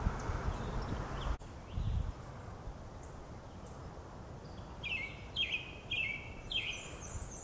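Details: Male and female Brown-headed Nuthatches bringing food to chicks, Lafayette County, Mississippi, 4/9/2020, sunny and cool with a slight breeze; after a quiet start with a sharp click, four squeaky, slightly falling notes come in a loose series.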